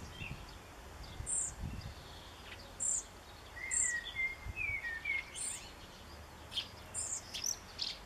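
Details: Backyard recording from 7 June 2013 of a juvenile European pied flycatcher begging for a parent: thin, high, evenly spaced chirps about once a second, with other birds' slurred whistles and faint background noise.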